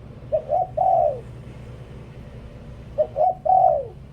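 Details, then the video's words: Two cooing phrases from a spotted dove used as a decoy. Each has two short clipped coos and then a prolonged mellow note that drops in pitch, with a pause of nearly two seconds between phrases. "เสียงนกต่อ นกเขาใหญ่"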